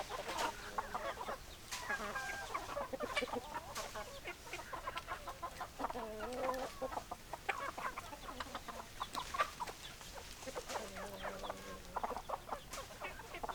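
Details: Chickens in a countryside setting give many overlapping clucks and drawn-out, wavering calls, with low, flat drawn notes near six and eleven seconds over a busy background of other birds.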